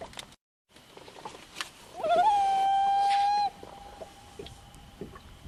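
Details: Common loon, also called Canadian loon, giving a wail: a wavering rise into a long, steady, pure mournful tone held about a second and a half, then cut off, over faint background rustling and clicks.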